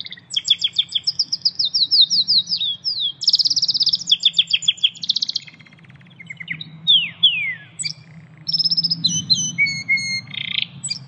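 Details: Wild canary in Indonesia in full song, a contest bird noted for its shot-like delivery: long runs of rapid staccato trills, a bright rattling burst, then a few steep descending whistles and sparse high chirps, soft low rumble behind.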